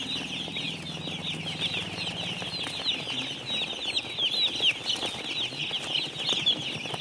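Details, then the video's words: Baby chicks on a farm, a crowd of them peeping continuously in high, short, downward-slurred notes that overlap into a dense chatter throughout, over a low steady hum. "Learn Chick Sounds"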